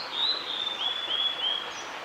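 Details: Song of a male blue-and-white flycatcher recorded 11 June 2016 in Oiso, Kanagawa, Japan: high-pitched sweet whistles in a rapid run of short slurred, wavering notes, with steady environmental hiss behind.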